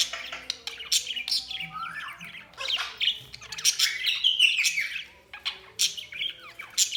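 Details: Several budgies chattering, with rapid high chirps, buzzy squawks and short whistled slurs overlapping with barely a pause.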